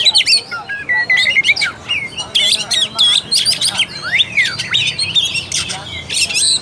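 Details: An Oriental magpie-robin in full song, meant to provoke a quiet bird: continuous mix of whistled slurs, sharp chips and harsh scratchy notes, busy and varied throughout.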